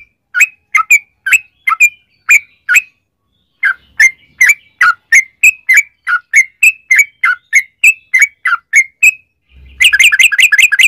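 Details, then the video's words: Long 'ropel' song of a yellow-vented bulbul used to draw other bulbuls into singing: bubbly chirped phrases with a short pause, ending in a dense rapid burst of notes. "trucukan gacor ROPEL PANJANG buat pancingan trucukan agar bunyi"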